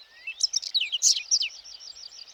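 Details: Whinchat singing in a meadow in morning sun near the Vistula at Błotnik, Poland, turning its head as it sings; this bird mixes in borrowed phrases of linnet, black redstart and Eurasian curlew. A short, scratchy burst of varied high chirps and trills.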